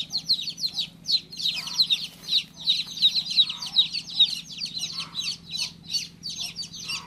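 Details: Shrill downward-sliding peeps from a baby chick, fast and busy at first, then spacing out into separate chirps, with a quiet electrical-like hum underneath.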